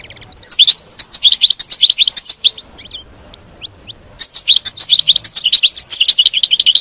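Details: Captive European goldfinch song used to keep another goldfinch singing: rapid tinkling twitters and trills in two long bursts separated by a short pause with a few thin isolated notes.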